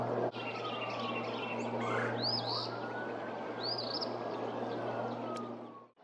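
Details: Early-season eastern phoebe, 23 February 2024 at Pawnee Prairie Park: two brief sharp high slurred call notes about a second and a half apart over steady broadband noise and a low hum.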